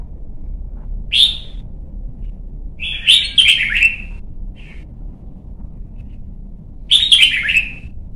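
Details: Voice training of a young white-cheeked red-whiskered bulbul for competition singing: a lone whistled note, then two full rollicking phrases of quick descending warbles about four seconds apart, low steady hum behind.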